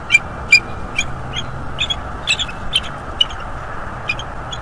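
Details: Bald eagle pair at their nest tree, 11 January 2023, doing nestwork as each turns down the other's mating attempt; a rapid run of high, thin, staccato chirps, about ten sharp notes in quick uneven succession, over faint low rumble.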